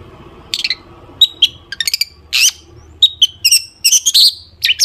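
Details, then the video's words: Long-tailed shrike song serving as a lure to get shrikes singing: scattered sharp whistles, quick rattles and buzzy notes separated by short gaps, with low rumbling background noise. "cendet gacor FULL ISIAN TEMBAKAN TAJAM untuk PANCINGAN CENDET AGAR BUNYI"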